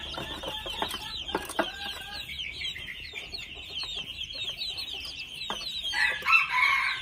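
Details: Red junglefowl young, two months old, chirp rapidly in a high, overlapping chorus of short falling notes, punctuated by occasional sharp knocks and a louder squawk near the end.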